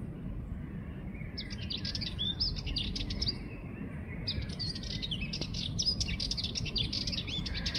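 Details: Sardinian warbler (Curruca melanocephala) recorded June 6, 2024 at 5:29 in the morning gives a fast, scratchy, chattering song of rattling high notes in bursts, over a steady low rumble of wind or distant traffic.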